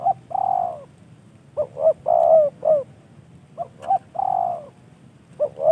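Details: Spotted dove kept in a cage as a decoy bird, repeating its cooing phrase several times: two quick short notes, then a longer falling coo, with brief gaps between phrases.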